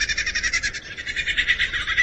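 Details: Male lyrebird at his cleared forest display ground, mimicking a kookaburra's laugh to attract females: a fast, rhythmic run of harsh, cackling notes, several per second, bright and mid-high in pitch.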